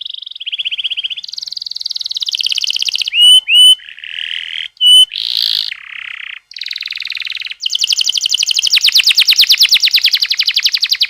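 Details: Long canary song used to make canaries sing: a sequence of buzzy rolls changing pitch, interrupted by short bright upslurred whistles, ending in an extended fast rattling trill of rapid pulses.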